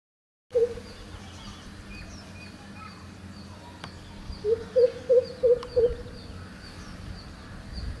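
Greater coucal giving a single deep hoot, then a quick run of five low, booming hoop notes, over a steady low background hum.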